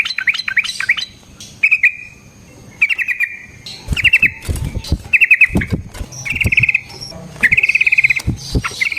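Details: Yellow-vented bulbul singing short rippling trills, used as a lure for other bulbuls. Several brief quavering phrases are interrupted by low thumping knocks.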